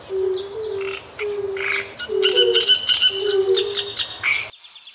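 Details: Black-tailed godwits on the Bug river give sharp, nasal high calls in quick overlapping bursts, over a lower, steady hooting note repeated about once a second.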